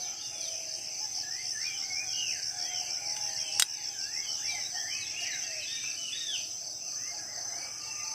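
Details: Birds in a Southeast Sulawesi rainforest in the morning give many short rising and falling chirps that overlap in a busy chorus. A sharp click interrupts once, and a steady high insect whine continues underneath.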